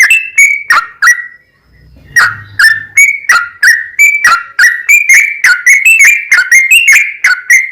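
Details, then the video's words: Yellow-vented bulbul in full, long rapid song, used as a lure to make other bulbuls sing and get excited; loud, bubbling whistled notes around one pitch, many with sharp rising or falling inflections, repeated about three per second after a short pause. "SUARA trucukan gacor ROPEL PANJANG pancingan trucukan agar bunyi"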